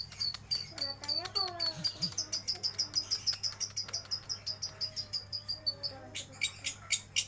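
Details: Lovebird giving ngeriwik chatter as bird-shop filler audio: fast, high, clicking chirps in a dense run. A few lower sliding whistles and a steady low hum sound in the background.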